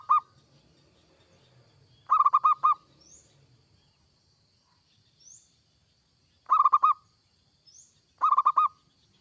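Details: Zebra dove (perkutut), local or Bangkok type, singing a song used to stimulate other doves to sing: three bursts of bubbling, low cooing notes spaced several seconds apart, with faint high chirps in between.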